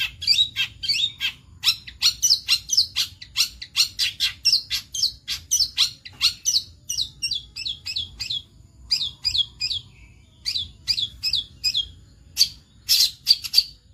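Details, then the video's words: Long-tailed shrike, a burnt-headed form, singing a rapid series of harsh, scratchy chattering notes, several per second, with varied buzzy and squeaky elements mixed in, in a quiet setting. "KEINDAHAN CENDET KEPALA GOSONG"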